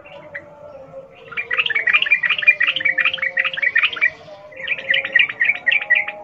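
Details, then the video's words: Sooty-headed bulbul singing in the wild 'ngalas ropel' style, used to prompt captive birds to sing: a sustained stream of rapid, bubbly chattering notes, a short break, then another fast stream, over a faint hum. "Trucukan gacor NGALAS ropel Khas alam liar ini ampuh untuk pancingan trucukan agar bunyi GACOR"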